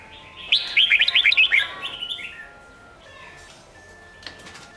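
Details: Red-whiskered bulbul in Sông Kôn style song, used for voice training of young birds before singing contests: a lively run of looping, fluty whistles lasting about a second, fading into quieter chips and a low hum.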